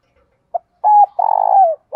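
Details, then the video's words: Cooing of a decoy spotted dove used to attract others: a brief note, a two-part coo, then a long, slightly throbbing low note that drops at its end. "Tiếng Chim Cu Mồi Kích Bổi Nhanh Nổi Hiệu Quả Nhất Gáy Gọi"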